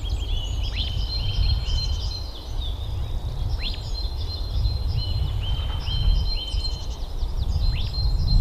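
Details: Mandarin ducks give thin, high whistles and quick upslurred notes, several overlapping, over a steady low rumble of background noise.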